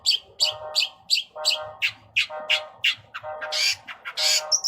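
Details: Long-tailed shrike from a songbird-hobby compilation, its song filled with borrowed material: harsh, grating notes with a rough lower tone, alternating with short high chirps in a steady, choppy rhythm, ending in noisy rasping bursts.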